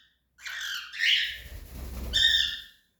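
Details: Cockatiel giving a long harsh screech that breaks into a second raspy squawk, with a low rumbling noise underneath between the calls.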